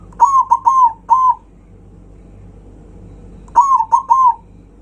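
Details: Loud zebra dove song used to rile up rival birds: a phrase of four quick cooing notes, a pause of about two seconds, then three more similar notes, each clipped and slightly falling.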